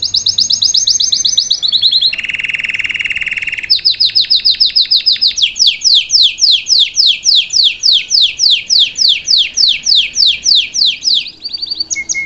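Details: Caged salsa canary singing as a tutor for a young bird: a fast high trill, a lower buzzy rolling section, then long runs of quick descending whistled notes repeated steadily.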